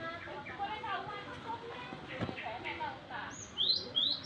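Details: High, sharp, rising notes from a young Java sparrow, said to be still partly green, come at the end after a stretch of mixed lower chatter and clicks.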